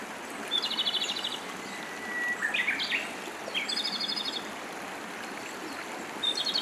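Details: Japanese robin singing in Hiroshima, Japan, in 2019: several bright, rapid trilled phrases, each introduced by a sharp high note, separated by pauses over the steady rush of a stream.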